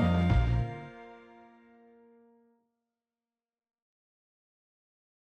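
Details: A single struck musical tone with a low thud, ringing out and fading over about two and a half seconds, then silence.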